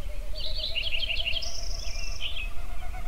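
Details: Songbirds at sunrise in Yellowstone: quick chirpy trilled notes, then a long steady high whistle, over a low continuous rumble of wind or distant water.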